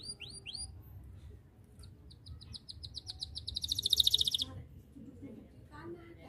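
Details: Canary in full song meant to call rivals to sing: a few rising whistled notes, then fast repeated chips accelerating into a loud rapid trill, with faint background noise.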